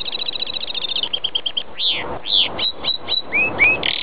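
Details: A goldfinch × greenfinch hybrid gives a fast, dry trill of high notes that breaks into lively twittering with buzzy, rising slurred whistles, over a faint background hiss.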